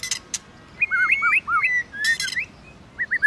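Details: Competition song of a White-rumped shama: looping whistled phrases, some rising and some falling, opening with two sharp clicks and closing with a short trio of wavering notes.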